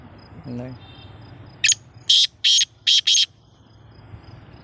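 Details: Black francolin giving a harsh call of five grating, buzzy notes in a rhythmic series lasting under two seconds, over a low background hum and a brief low sound before the call.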